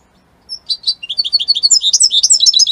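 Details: Italian-type European goldfinch song opening with a few separated chirps, then building into a rapid, ever-denser run of high tinkling twitters and buzzy notes.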